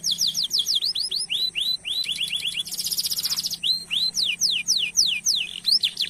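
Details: Canary song used as a lure to stimulate other canaries into singing and long rolling. Runs of rising and falling high chirps surround a brief harsh, buzzy rolled burst, then sharp descending whistled notes continue over a faint low hum.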